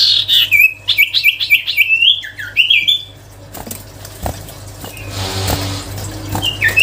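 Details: Sirtu cipow songbird opening with a rapid series of bright, bouncing whistled notes for about three seconds, then falling quiet amid soft rustling and hum before one last downslurred whistle.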